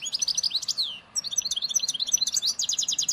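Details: Goldfinch 'nature' song from Souk Ahras (Taghast), Algeria, linked to Ain Dalia dam, Djnane Bouecha and Firmet Djoudi, 1995: quick descending slurred notes, a brief gap, then a rapid run of repeated tinkling twitters over faint background noise.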